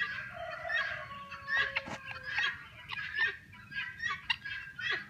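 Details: Several helmeted guineafowl, kept as a breeding flock for tick control, calling together in a noisy, overlapping chatter. Harsh, grating notes run into one another irregularly, with a low background hum.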